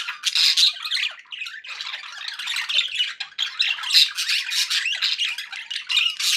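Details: Nonstop chatter from happy pet budgerigars: overlapping buzzy warbles, squeaky chirps and occasional clear whistled notes, steady in loudness throughout.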